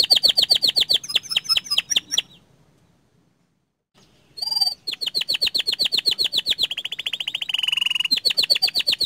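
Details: Canary singing energetically: high, rapid chattering trills pulsing several times a second, a silent pause, then long buzzy rolling trills and a sustained whirring passage before the fast chatter returns.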